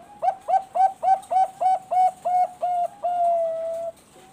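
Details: Bangkok perkutut, a bred zebra dove, singing as a lure to prompt other doves into song: rapid run of nine or ten short ringing coos at an even pace, closing with a long sustained slightly falling note.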